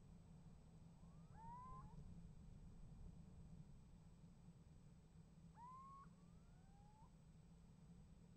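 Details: Little owl calling at a nest box in January 2015 and getting an answer from another owl: two rising mewing whistles, each followed closely by a fainter, more distant reply, over a low hum.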